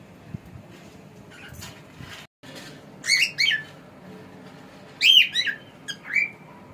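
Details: Pet cockatiel, male, calling in short bursts: a couple of harsh, rasping squawks around the three-second mark, then a louder chirping trio near five seconds and a final rising whistle, over faint room noise.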